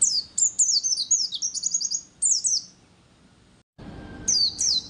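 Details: High, chattering white-eye song with the ngecir continuous style, played to make other white-eyes sing. Rapid falling chirps run into a quick trill, then pause, and another pair of sliding notes follows after a break.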